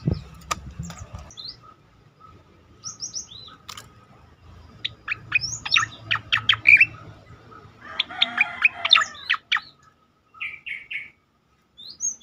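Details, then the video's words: Striated grassbird song, a bursting style used for training and stimulating other birds to sing: scattered high chips, then a rapid series of sharp, clicking notes and short whistles, with gaps and a faint low hum. "khass tembakan cicakoreng untuk masteran dan pancingan bunyi burung lain"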